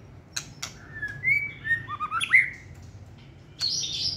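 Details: Competition white-rumped shama in a cage, singing one short, clear whistled phrase of slurred rising and falling notes, opened by two clicks and followed by a high thin twitter.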